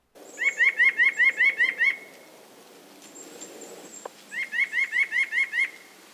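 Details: White-breasted Nuthatch, a winter backyard bird of eastern North America, giving quick runs of nasal, bleating wah notes, about four a second, in two bursts with a thin high whistle between.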